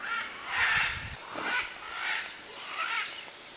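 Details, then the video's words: Macaws at a clay lick in the Manu rainforest, Peru, 2008, among many birds; four separate rough, drawn-out squawks spaced roughly half a second apart, with a short low rumble at the start. "Macaw clay lick"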